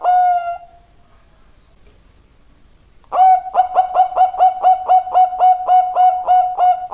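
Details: Zebra dove in full song: one drawn-out coo, about two seconds of silence, then a rapid string of around fourteen clipped, resonant coos at an even pitch.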